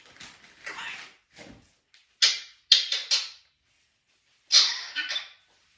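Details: Pet African grey parrot indoors in a small room, giving squeaky, scratchy chatter in short bursts, some harsh and high, with brief pauses and a few quieter rustling sounds between outbursts.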